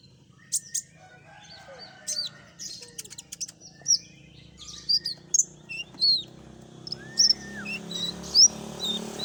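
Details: Recording for luring common iora: varied high chirps and short slurred whistles about once a second, with clustered sharp clicks early and a downcurved whistle near the end, over soft background hum.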